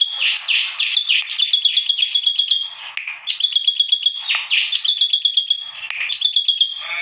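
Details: Bar-winged prinia, unusual song: fast series of piercing high notes in phrases of a second or two, mixed with harsher scratchy notes at phrase starts.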